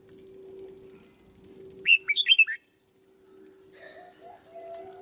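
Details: Red-whiskered bulbul in a cage, trained as a decoy bird, gives one brisk phrase of about five liquid whistled notes. Low constant hum throughout, and faint scratchy sounds follow.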